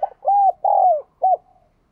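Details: Spotted dove cooing, meant to coax newly caught captive doves into cooing: one crisp phrase of a short lead note, two long mellow arched coos and a clipped closing coo.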